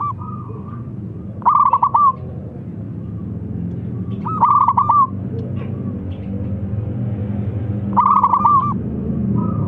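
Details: Loud, actively singing local zebra dove whose strong voice is used as a lure to draw other birds into song; three phrases of rapid rolling coos, each followed by a few separate notes, about every three seconds over low continuous hum.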